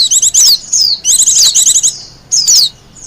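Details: Wild white-eye singing for use as lure and master song: thin, high chattering warbles with quick falling slurs, in two longer bursts and a shorter closing phrase.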